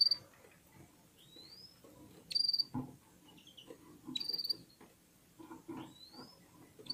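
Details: A red-fronted serin warms up in song alongside other birds. Shrill high chirps alternate with thin, rising slurred whistles, and soft rustling sounds come between the notes.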